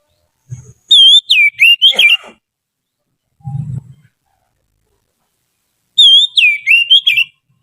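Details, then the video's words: Trained Oriental magpie-robin used as a song master repeats the same looping whistled phrase twice, about five seconds apart, with a soft low thud in the gap. "Suara burung kacer terlatih"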